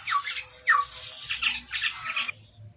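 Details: Brief lively phrase from a chestnut-rumped babbler: a high whistle dropping steeply in pitch, followed by rough chattering notes that stop abruptly, with a faint low hum behind.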